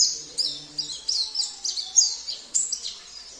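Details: Oriental white-eye training song from Sambas, with a rich fill-in of canary, cililin, kapas tembak and jenggot phrases: rapid high twittering bursts in quick succession, a few faint lower tones underneath.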